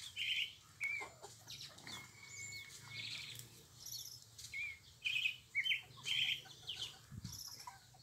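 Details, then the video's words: Pale-breasted thrush singing: short warbled phrases around the middle register, some with a sustained level whistle, given in uneven bursts roughly every second, with fainter high twittering notes above. "Canto da sabiá coca"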